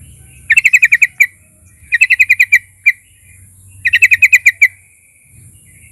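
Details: A sooty-headed bulbul, singing as a lure to provoke rivals, gives three short bursts of rapid, even, clipped notes, six or seven each. Single notes follow the bursts, with quiet gaps between them.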